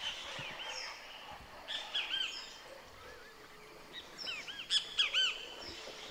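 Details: A great kiskadee (Pitangus sulphuratus), singing in a tree canopy by the Huatulco River bridge near Santa María Huatulco, Oaxaca, Mexico, on a cool spring morning at sunrise, repeats loud, insistent, arched notes over a busy songbird chorus.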